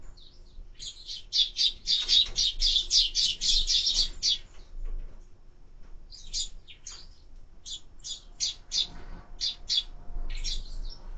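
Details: Sparrow at a bird feeder on a bird camera: a rapid run of high, clipped chirps repeated about four times a second for three seconds, then scattered single chirps after a short silence.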